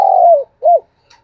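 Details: Decoy spotted dove cooing at dawn: a long, soft, slightly falling coo, then a short arched coo note after a brief pause, with a faint high click at the end.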